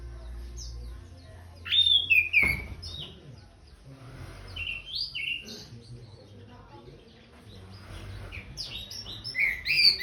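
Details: Post-bath song from an orange-headed thrush: scattered clear whistles and slurred notes, some falling, building into a denser, louder burst of twittering at the end.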